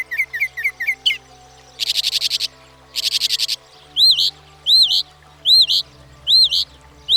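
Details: Varied Northern Mockingbird song: quick twittering notes, two dense buzzy rattling bursts, then a series of loud arched whistles repeated about every 0.6 seconds. This species can learn up to 200 different sounds over its lifetime.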